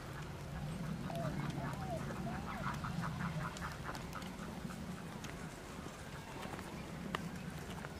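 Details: White-cheeked pintail at WWT Slimbridge giving a quick run of short, nasal quacking notes, about three a second, over a steady low rumble and faint murmuring.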